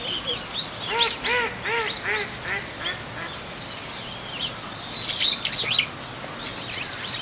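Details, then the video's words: Eurasian teal on a pond at Kōkū Park, Japan, 19 January 2023, with separately recorded park ambience layered over the field sound; short arched nasal calls come in quick bursts early on and again near five seconds, over high chirping birds. "コガモ/Anas crecca"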